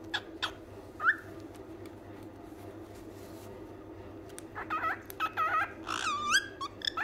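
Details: A white cockatiel gives bright whistled notes and chattering, speech-like phrases, speaking "Mian Mithu", over a steady background hum.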